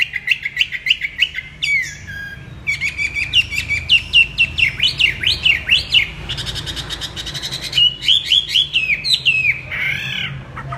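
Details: Warbling song of a Chinese hwamei: bright whistled notes in rapid bursts, some sharp upswept slurs repeated in series, with a short buzzy rasping stretch near the end.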